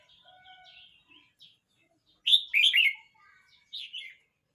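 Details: A 12-month-29-day-old Red-whiskered bulbul sings soft thin notes, then a loud rolling phrase of three liquid slurred whistles, and a shorter two-note follow-up a second later.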